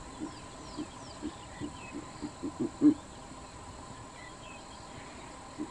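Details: A Verreaux's eagle-owl calls in daytime from a tree in Kruger National Park. About eight low, muffled grunts come at a quickening pace and build to a strong final note, with a lone grunt later and soft distant bird chirps.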